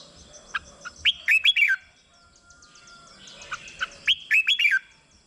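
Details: Song of a red-whiskered bulbul, used to rouse caged birds: two lively phrases of clear slurred whistles, each ending in a dropping note, separated by about three seconds of near silence.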